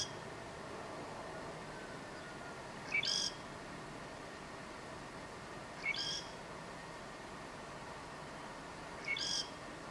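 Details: Song of a southern grey shrike, northern Lanzarote, October 2018. The same brief phrase recurs three times at roughly three-second intervals: a short pure whistle leading straight into a grating, noisy note. Faint constant hiss underneath.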